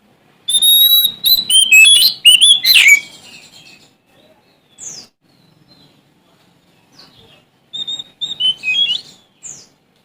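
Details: Sumatran magpie-robin singing hard against rivals: a loud, busy burst of whistles and chattering notes lasting over two seconds, followed by sparse soft chips and a shorter whistled phrase.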